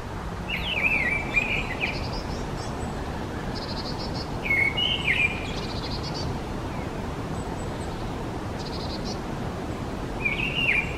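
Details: Mistle thrush, Turdus viscivorus: short whistled phrases with a fluty, slightly warbling quality, three spaced a few seconds apart. Faint high chirps from other birds and a steady low rumble of background noise underneath.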